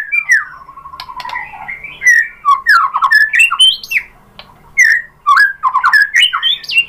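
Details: White-rumped shama singing as a lure to draw out another bird's song: clear whistled slurs, a low descending trill, then bursts of rich warbling phrases broken by short pauses.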